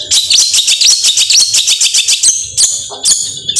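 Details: Long-tailed shrike in 'gacor tembakan' song, meant to provoke reluctant shrikes to sing: harsh, high, clipped notes repeated about twice a second, ending in a few louder scratchy bursts and a brief whistle.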